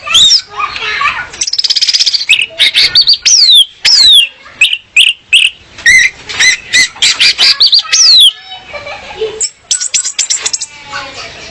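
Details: Female orange-headed thrush song, played to draw males and set them singing as training: a fast, varied medley of high sweeping whistles, buzzy trills and sharp clicks, ending in a softer, scattered stretch.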